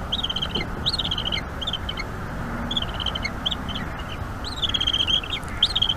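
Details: Young bald eagle calling while its mother feeds it squirrel at a nest in North East Florida, May 2021 evening: shrill rising-then-falling squeal runs that break into quick stuttering chips, over steady background hiss.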